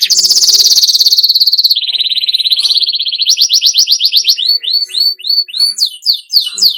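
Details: Song of a canary used to prompt kept birds to sing: long rapid high trill, a lower steady rolling tour, then a run of quick descending whistled sweeps repeated several times a second.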